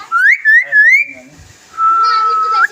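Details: Common hill myna talking, producing three quick rising whistled syllables followed by a long steady whistled tone ending in a sharp upturn, clean and loud indoors with a faint low voice between.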